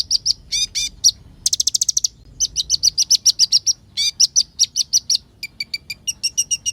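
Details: Olive-backed sunbird in full song with varied mimicked phrases, used to make other birds agitated: sharp high notes, a quick rattling trill, then steady runs of thin, repeated chirps.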